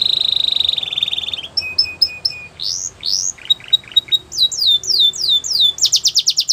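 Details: Canary training song for young birds: a buzzy trill, evenly spaced short whistled pips, swooping rising notes, downslurred whistles and a closing rapid roll.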